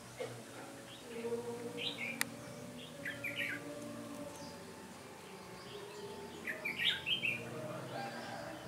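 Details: Trapping session for red-whiskered bulbul, 13 January 2017: several separate short warbling phrases spaced a few seconds apart, with a sharp click near the start and a continuous low hum throughout.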